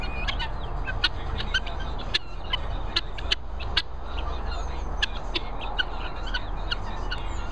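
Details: Hungry guinea fowl at kennels in the Worcestershire countryside give harsh, clipped metallic notes, repeated irregularly over a steady low rumble.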